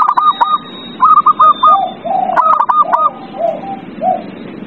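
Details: Zebra dove, heard as a lure to get a quiet dove singing: short clusters of clipped, bouncy coo notes, each answered by lower soft rolling coos from other doves.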